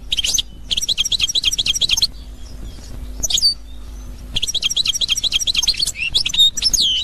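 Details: European goldfinch of the authentic Constantine type, 2021, sings short bursts of high, rapid twittering separated by pauses with a few isolated chirps, then resumes with a longer run of tinkling, looping notes.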